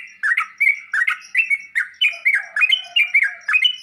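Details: Sooty-headed bulbul song used to make kept birds respond: evenly spaced, loud slurred chirps rising and dipping, several per second, with a faint low whistle underneath.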